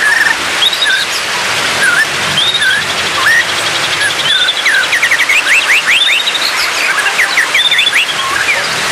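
White-rumped shama singing varied clear whistles and slurred notes, with a fast run of rising trilled phrases midway, over a steady background hiss.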